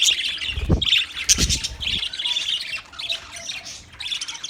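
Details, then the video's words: Budgerigars heard as chirping company for a lonely bird: harsh squawks and scratchy chirps mixed into rapid warbling chatter, with two short low thumps near the start. "Budgies chirping sounds for lonely bird"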